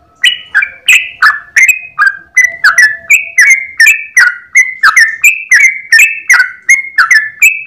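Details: Sooty-headed bulbul, long unbroken 'ropel' song in the morning: after a brief pause, a fast, steady torrent of sweet, slurred whistles, each note sharply struck and slightly descending.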